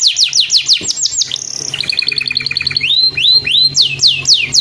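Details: Canary master song used to encourage kept birds to sing. Quick falling whistles lead into a buzzy repeated trill, then rising and falling slurred notes in rolling sequences, about two per second toward the end.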